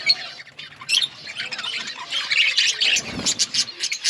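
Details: Budgerigar flock in an outdoor colony: harsh squawks and rapid chirps overlap in a noisy, continuous chorus, with a brief low thump partway through.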